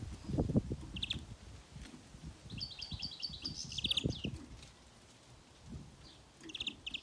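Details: Baby greenfinch during trapping; brief high chirps, then a rapid twittering run of clipped notes near the middle, over rustling and knocking handling noise.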